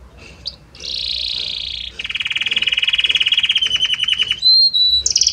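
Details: A Belgian canary sings a varied song: a sustained buzzy high note, then a long, fast, even trill of repeated notes, a brief clear whistle and a return to high buzzing.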